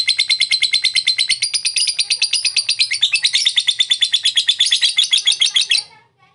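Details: Long ngekek chatter of a lovebird, meant to prompt slow-singing birds to respond: a rapid, even string of shrill rasping notes lasting nearly six seconds before stopping abruptly, high-pitched throughout.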